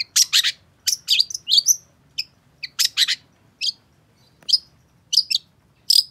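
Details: Long-tailed shrike in lively song, meant to get a silent bird singing again: clusters of harsh, scratchy chatter alternating with short, thin whistled notes.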